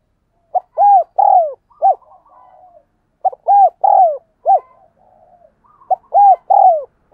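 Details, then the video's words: Spotted dove giving thúc gù coos used to train decoy doves and draw wild doves: two phrases of four arched, hollow coo notes, the third longest and falling, with soft low murmurs between phrases; quiet background. "Tiếng Chim Cu Gáy Thúc Gù Dùng Tập Mồi, Bổi Nghe Xiêng Gáy"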